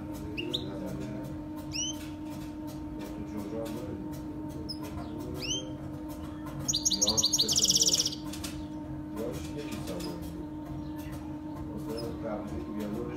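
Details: Saira canary singing as a training model for baby canaries: sparse upward-sweeping chirps every couple of seconds, then a dense, buzzy rolling trill of about a second, followed by quieter scattered notes and a low hum.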